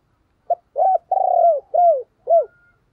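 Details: Spotted dove used as a decoy bird to provoke other doves into cooing; a phrase of five low, hoarse coos, starting with a short note, then a long, slightly trilled middle coo and falling, downward-curving final notes, in otherwise quiet surroundings.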